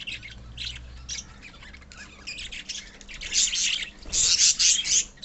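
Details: A colony of pet budgerigars chatters with scattered high chirps, then erupts into loud, overlapping screechy calls toward the end.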